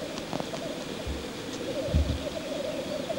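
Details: Black grouse lek: an unbroken bubbling murmur with low thumps around the middle, as if from wings or footsteps.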